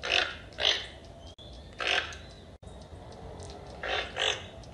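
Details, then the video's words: Toucan calling in rough, raspy croaks that come in pairs and singles, around five in all, against constant low hiss. "Learn Animal Sounds - Toucan | Toucan bird"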